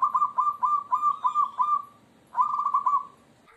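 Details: Zebra dove song, combined calls used to lure other zebra doves into calling: a soft, mellow run of about six quick cooing notes, a brief pause, then a rolling, purring trill.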